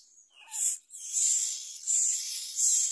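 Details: A parent myna feeds its baby a large blue caterpillar. The call is loud, hissing and screechy, with a brief note at the start and then sustained harsh rasps rising and falling in intensity.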